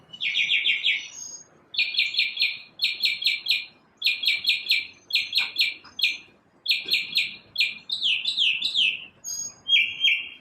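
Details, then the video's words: A single bird in the morning delivers fast, high trills in bursts of about a second with short gaps between them. It finishes with several quick downward-sweeping notes. "Birds chirping | Bird chirping sounds | Bird singing | Morning bird sounds"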